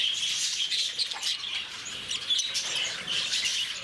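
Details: Many lovebirds chattering at Bannerghatta Zoo, Bangalore, a steady wash of sharp, high-pitched chirps and squeaks, with a few brief clear whistled notes standing out from the noisy flock.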